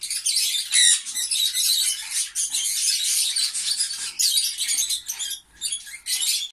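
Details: Green pied lovebirds, African lovebirds, giving dense continuous high shrill chattering and squeaking, many overlapping sharp notes with brief pauses, a flock sound without other clear noises.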